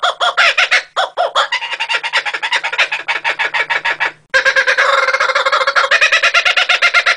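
A kookaburra's raucous laugh: a rapid rolling cackle of harsh, repeated notes, about five per second, breaking off briefly before a louder second burst.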